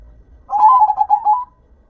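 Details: A single phrase from a local zebra dove, about one second of quick, rolling cooing notes that trail off, in a quiet setting.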